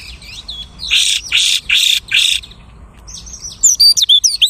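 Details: Whistled phrases from a lark imitating other species, then three loud rasping bursts, then a string of crisp, sharply pitched whistles.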